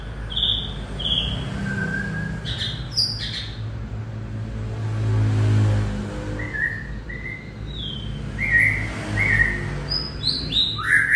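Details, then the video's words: White-rumped shama singing a warbling song: clear whistled notes spaced apart, some falling, others hopping between pitches, with pauses between phrases, over steady low rumble like passing traffic. "Chích choè lửa hót líu lo"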